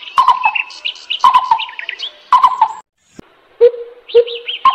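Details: Lesser coucal (Centropus bengalensis), call.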